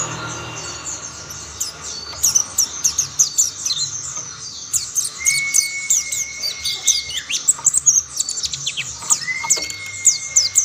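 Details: Mountain white-eyes joining one another in song: rapid high twittering chirps build after a quieter start, with two long, level, clear whistles standing out mid-pitch.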